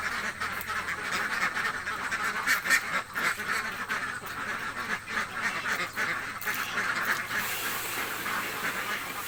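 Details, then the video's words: Hungry village ducks quack in a crowded, unbroken chorus of coarse, nasal calls, louder bursts rising and falling every second or so. "SOUND DUCK QUACK || ORIGINAL SOUND DUCK IN VILLAGE || duck quack hungry sound effects"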